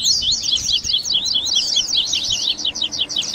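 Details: Double-collared seedeater warm-up song, baderninha type, for stimulating a captive bird: an unbroken stream of quick, high, up-and-down slurred notes, dense and chattery throughout.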